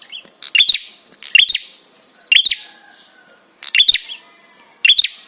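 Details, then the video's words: Prinia calls meant to provoke other birds to respond and to stir arousal: bursts of sharp, high, rapid chirps and trills, each burst falling into a brief buzzy tail, repeated roughly once a second with short quiet gaps. "SUARA TRAPI PRENJAK SEKETIKA BIKIN EMOSI DAN BIRAHI"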